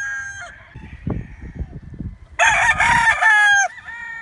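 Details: Rooster crowing loudly and close among chickens, a fading crow at the start, quiet low shuffling, then one powerful, ringing cock-a-doodle-doo of over a second.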